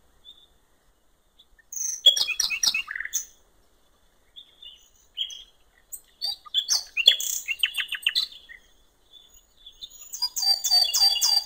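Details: Nightingale song at a riverside in the wild, delivering varied phrases: a pure whistle, then rapid buzzy trills and chattering bursts, repeated runs of quick notes, ending in a rich high warbling passage.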